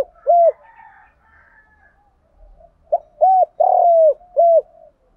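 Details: Spotted dove cooing, a recording used to stimulate birds to coo quickly: four mellow, hollow coo notes, the third drawn out longer, after a quieter, breathy opening phrase.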